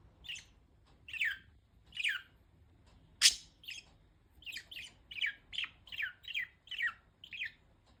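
Budgerigar giving bright, scratchy chirps, each a quick descending buzz, coming in bursts that quicken to about two per second, with one sharp squawk.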